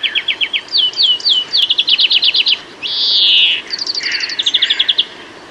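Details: European greenfinch singing in a UK garden: rapid series of downslurred chirps and fast trills, broken around the middle by one long, harsh, buzzy wheeze, then further bright trilled phrases.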